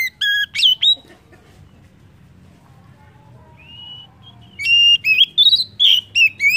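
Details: Oriental magpie-robin used as a song lure for other birds: a few loud whistled notes, a long quiet stretch with one soft drawn-out whistle, then a fast series of bright, rising and falling whistles.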